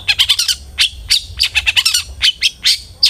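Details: Long-tailed shrike singing in a lure recording used to encourage pet shrikes to sing: quick clusters of scratchy chirps and squawky notes in uneven bursts, with short pauses between them.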